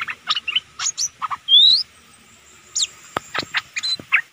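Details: Decoy Streak-eared bulbul in a lively run of short chirpy notes with one drawn-out rising whistle in the middle. Quick bubbly phrases pick up again after a short pause, mixed with a few sharp clicks.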